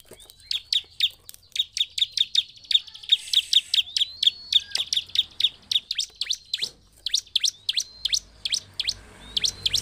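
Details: Bar-winged prinia song used as a lure to provoke other prinias: a fast run of short, sharp, high chirps about four per second, briefly pausing midway, then resuming with a faint rising whistle near the end.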